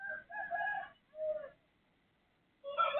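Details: A neighbour's chicken crowing in the early hours, 03:35 on 18/12/2567: fragments of a hoarse, layered crow, a short pause-broken burst, silence, then the start of another crow at the end.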